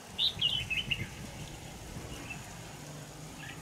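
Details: Red-whiskered bulbul singing during a trapping session with a decoy bird on 25 November 2018: a quick burst of bright, warbled, chirping notes in the first second, then near silence over a low background hum.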